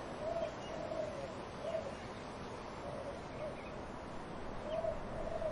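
Soft, low dove coos repeat every second or so under a steady rushing of wind through trees.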